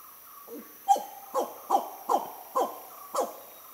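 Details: Spot-bellied eagle owl in a southern Indian jungle, a rare bird that came curious to the back of a photography hide near nesting hornbills and spotted the person; handycam recording. Six short, loud, downward-sliding hoarse notes, about every half second, over steady insect hum.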